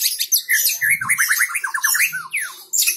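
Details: Rapid, varied song of a white-rumped shama: quick twisting whistled notes and chattering trills run together densely, with a short low thump partway through.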